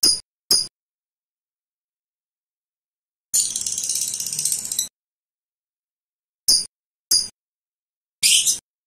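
Lovebird giving harsh, shrill, high screeches: two quick bursts, a grating call lasting over a second, then three more short shrieks, with silence between.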